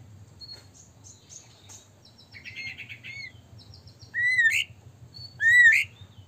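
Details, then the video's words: White-rumped shama song aimed at provoking other birds to sing: soft high twitters and a chattering trill, then two loud rising whistles sweeping sharply upward, faint low hum beneath. "murai batu gacor AMPUH buat PANCINGAN murai batu agar bunyi JADIKAN burung murai LANSUNG EMOSI"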